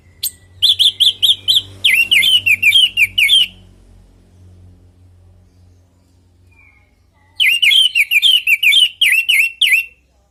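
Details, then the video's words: Orange-headed thrush singing loudly in a natural voice, used to encourage kept birds to respond: fast runs of repeated whistled notes, roughly three per second, in two bursts separated by a long pause. "Pancingan burung anis merah|Agar nyaut Dan ikut ngeplong|"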